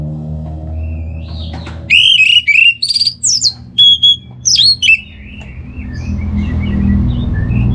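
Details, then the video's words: Orange-headed thrush singing as a trigger recording for a kept contest bird; after a faint whistle, a burst of loud rich chirps and rising whistles, then quieter distant notes over background rumble. "Buat Pancingan Burung ANIS MERAH Agar Gacor"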